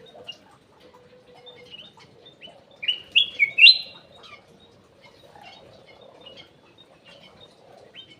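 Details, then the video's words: Golden bulbul (kutilang emas) in an aviary giving lure song: a few quiet chirps, then a fast trio of loud fluty slurred whistles midway, followed by soft scattered notes. "PANCINGAN CUCAK EMAS \ KUTILANG EMAS"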